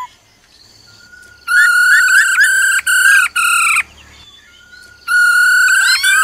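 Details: Female laughingthrush calling "ro ro" to stir up a male: a thin held note swells into loud, buzzy, harmonic-rich sustained tones, repeated in blocks of about half a second to a second, then a rising slur.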